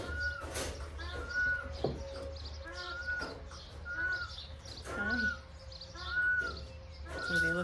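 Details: Peafowl chicks in a barn pen on a Nebraska homestead, two females calling to each other, give clear, high whistled peeps about once a second, over a woman's soft talking and a steady background hum.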